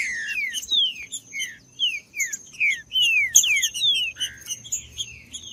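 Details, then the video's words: A green-winged saltator sings to excite caged birds before tournaments. Clear, ringing whistles slide downward, repeated in an even, steady series about twice per second, with a thin constant high tone in the background. "MELHOR VÍDEO PARA ESQUENTAR TRINCA FERRO COM TRINCA FERRO CANTANDO"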